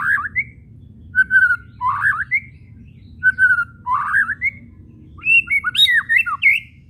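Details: White-rumped shama giving whistles and chattering kretekan to provoke singing; short phrases repeated roughly every two seconds, swooping whistles then a rapid chattering run, against a faint hum.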